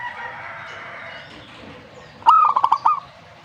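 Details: A single dove phrase of rapid staccato coos follows a stretch of steady mid-pitched background noise.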